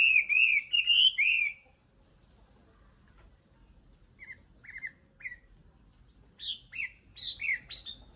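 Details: Nightingale song in bursts: a quick trio of rich warbled phrases, a silent stretch, a few soft slurred notes, then another lively cluster of high, sweeping whistles.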